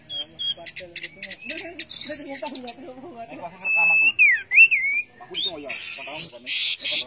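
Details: Orange-headed thrush singing in a varied, mimicking medley: high chirps, buzzy trills, slurred whistles falling and rising, and harsh rasping notes, with low murmuring sounds underneath.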